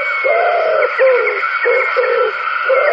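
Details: Radio-like voice sound with steady harmonic bands and short humming bursts in a small indoor room; no animal call is heard.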